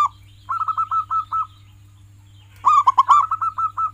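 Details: A fast rolling string of short coos from a local zebra dove, then a loud phrase of rich, ringing coos trailing into another quick trill. Recorded as tutor song for pet doves.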